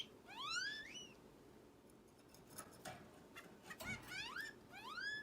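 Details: Orange-cheeked waxbill kept as a pet, calling in a way compared to an alarm: clear upward-sweeping whistles, repeated in quick pairs, with soft knocks and a low room hum.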